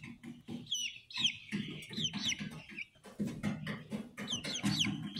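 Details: Speckled Sussex chicks hatched 22 March 2023 and recorded 22 April 2023 give high, downslurred peeps in quick runs over a steady bed of low, soft clucking and murmuring.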